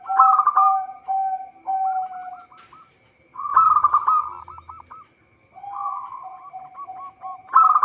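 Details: Local zebra dove in full song, meant as a lure for trapping. Loud rattling coo bursts recur every few seconds, each trailed by quick descending staccato notes, with a second lower cooing voice overlapping.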